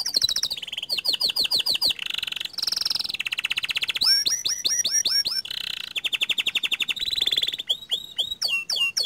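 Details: Panda canary pouring out varied rolling song with long bursts: alternating rapid trills, buzzy rattles and looping whistled phrases, each repeated several times before switching, with no real pause over nine seconds.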